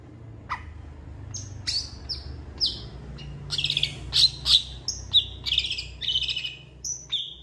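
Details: Long-tailed shrike singing in full, varied mimicry said to copy cats and chickens; high whistled slurs and harsh scratchy notes follow one another irregularly over faint low background hum.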